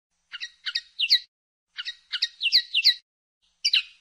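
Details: Linnet (pardillo) singing in 2016: quick clusters of chirpy, twangy twitters rising into brighter notes, delivered in two long phrases and a short closing burst. Clean background.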